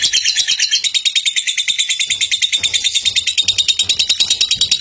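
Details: Lovebird singing the konslet style of gacor song, meant as a master for tutoring other lovebirds: fast, shrill pulsed chattering in an even stream, with faint low thumps in the background.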